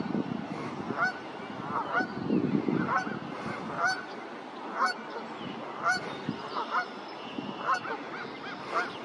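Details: Brant goose recorded at Sainte-Catherine on 1 May 2023: short nasal honks repeat about once a second, some overlapping, over a low rumbling background murmur.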